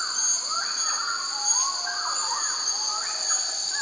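A bird-of-paradise gives slurred, rising and falling whistled notes in loose bursts, over a steady high insect-like drone.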